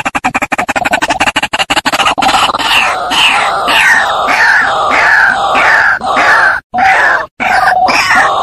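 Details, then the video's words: {'text': 'White-breasted waterhen lure sound: rapid clicking ticks at first, then a continuous harsh series of croaking notes with rising squeaky tones, repeated about ninety times a minute, briefly broken by two gaps.'} "Suara pikat ruak ruak"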